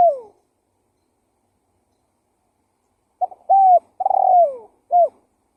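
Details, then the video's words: Spotted dove lure cooing. A falling coo ends one phrase, then after a long silence a full phrase follows: stuttered soft notes, an even coo, a trilled downward-sliding coo and a short last note. "Suara Pikat Burung Tekukur Gacor KUK 1"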